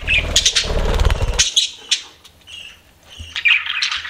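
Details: Pet budgies chirp amid a loud burst of low, rapid flapping-like thumps over the first second and a half, followed by softer squeaks and a final scratchy warble.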